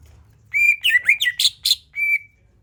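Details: Greater green leafbird song meant to lure other birds into singing: a steady clear whistle, a quick jumble of slurred whistles and harsh buzzy notes, then a final level whistle, loud and close.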